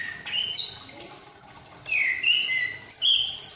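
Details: Young Chestnut-capped thrush kept in a cage in Malang, learning its song. Its practice song has a few drawn-out whistles, some falling and some steady, separated by short gaps.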